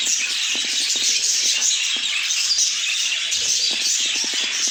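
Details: Budgerigars chattering in a thick, high-pitched chorus, joined by frequent crisp clicking taps, likely movement in a cage, throughout.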